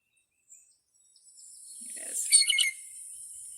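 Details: A Blue Jay, a common backyard bird, gives its bubbly call: a short, liquid run of clustered high notes lasting under a second, over a soft steady hiss.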